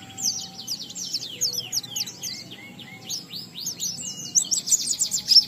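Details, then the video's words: Oriental white-eye delivering a ngalas song with riwikan inserts, played so other white-eyes answer. Fast, high, tangled warbling runs on without pause, slightly softer and less crisp, with a faint low drone underneath. "Burung Pleci Gacor NGALAS Isian sambung Riwikan Materi Ampuh Merangsang Semua Pleci langsung Gacor"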